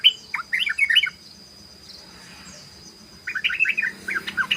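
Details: Rapid 'ropel' song of a yellow-vented bulbul: a burst of quick, bubbling warbled notes, a quiet gap with faint background hiss, then another fast run of chattering phrases.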